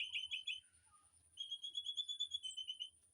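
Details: Birds singing in an aviary, used as training song for a white-rumped shama: a rapid high chattering burst, then a fast run of repeated clipped notes, with a steady thin high whine throughout.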